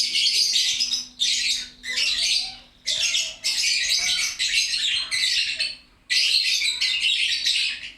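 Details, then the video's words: Lovebird chattering loudly and continuously, harsh high squawky bursts in long runs separated by brief pauses, with a faint steady low hum underneath. "LOVE BIRD..GACOR RAME2"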